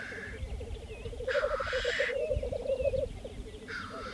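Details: Lekking black grouse, Saaremaa, spring 2014. Rapid bubbling rookoo phrases, interrupted by a drawn-out hissing sneeze and a second hiss near the end.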